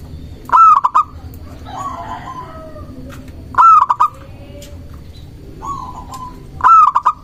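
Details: Vocal local zebra dove singing to draw rivals into replying. Ringing, hollow cooing phrases repeat roughly every three seconds, each a clipped stutter of notes with a trailing coo, with quieter coos between and faint background hum.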